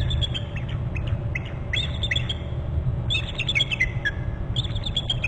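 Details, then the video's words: Alarm calls from two bald eagles at their nest on Hornby Island in February, with the male arriving to a short branch: thin, high chittering series repeated in bursts over strong low wind rumble. "dad in from the left to the short left branch and both alerting"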